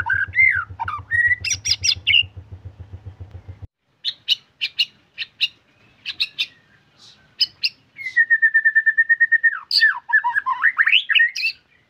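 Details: White-rumped shama in lively gacor song: varied whistles and harsh bursts over a low hum, a pause, rapid dry clicking notes, then a long level whistle breaking into a tumbling flourish.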